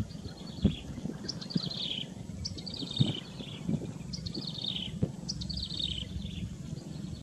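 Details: Yellow-bellied prinia in Cambodia giving short bursts of high, quick chirps that slide downward, repeated about every second, over steady low rumbling noise and a few knocks.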